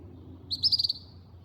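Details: Couch's kingbird (Tyrannus couchii) call in Yucatán, Mexico: a quick, high twittering chatter of about five sharp notes in under half a second, over a faint low rumble.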